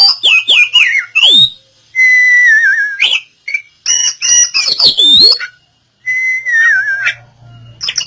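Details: Oriental magpie-robin song used as therapy to get a silent bird singing again. Loud clear whistles, some long and wavering, mixed with sharp clicks and quick downward-swooping notes, in bursts separated by short pauses.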